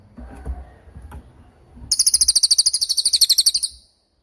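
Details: Sharp cililin song from a long training recording for songbirds: soft low clicks, then a bright, very high trill of about twenty quick pulses lasting nearly two seconds before stopping abruptly.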